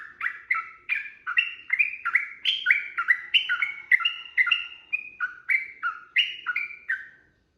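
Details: Sooty-headed bulbul giving a long, rapid combative song as a provoking lure. Some two dozen loud, fluty notes tumble in quick succession with uneven up-and-down steps, then the singing cuts off just before the end.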